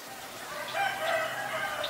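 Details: A black-collared starling in Ubon Ratchathani, Thailand, on 17 November 2021 gives loud, harsh, drawn-out raspy notes, with a few sharper squeaky accents rising through two seconds of continuous calling.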